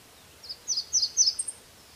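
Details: Red warbler (Cardellina rubra) giving a short run of about five high, sharp chirps in quick succession over quiet background hiss.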